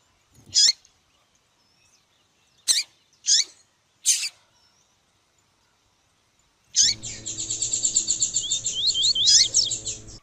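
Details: Female double-collared seedeater calling to excite the male: several separate sharp, high, downslurred call notes a second or so apart, then a fast, buzzy, high-pitched twittering run lasting several seconds over a low hum.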